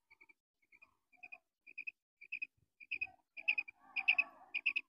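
Female common quail giving short, high, clipped notes in pairs and triplets that grow louder and faster, with a faint rustling murmur underneath near the end.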